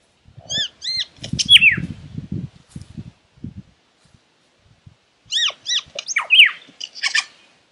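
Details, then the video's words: Lyrebird singing in two bursts separated by a quiet gap: clear whistled notes with stacked harmonics, sharp downward-sliding whistles and rapid chipping notes, over low thumping and rustling sounds. "Lyrebird sound"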